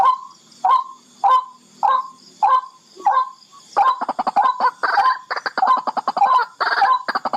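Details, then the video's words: Barred rail, locally called tikling, giving a series of loud harsh grunting notes spaced roughly every half second, then switching into fast rattling, clicking bursts mixed with the same grunts. "BARRED RAIL CALL SOUND |TIKLING |"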